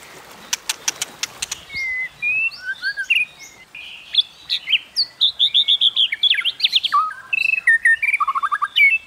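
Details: White-rumped shama contest song in the 'kéo thuốc lào' style: a quick burst of sharp vertical clicks, then varied clear whistles, slurred rising and falling notes and rapid chattering phrases.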